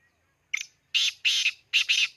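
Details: Near Khushab a black francolin gives its call: a short clicking note, then three loud rasping, scratchy bursts, the last one split into two, over a quiet background.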